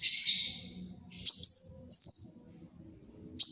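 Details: Sunbird singing, used as a tutor recording for training cage birds and for luring: very high, thin sweeping whistles, some falling and some sliding, in short separated phrases.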